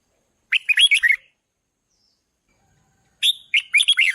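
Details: Red-whiskered bulbul trained to sing loudly and to stir decoy birds: two bubbly phrases of rapid, bouncing whistled notes, the second following after a gap of about two seconds.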